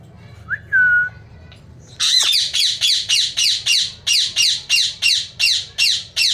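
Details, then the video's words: Caged Indian ringneck parrot at home: a brief rising whistle, a pause, then a steady run of loud, harsh squawks repeated roughly every half second until the end. "Best ringneck parrot talking||mithu beta talking mithu mithu"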